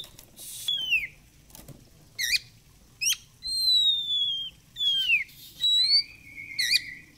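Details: Oriental magpie-robin lure song meant to make the bird fan its tail: clear whistles sliding downward, quick up-down flicked notes, and long level whistled notes, spaced by short pauses.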